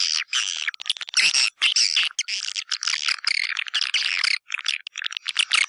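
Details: Swiftlet-house lure call of the white-nest swiftlet from East Kalimantan: busy bursts of shrill chirps and rattling twitters, broken by short silent gaps.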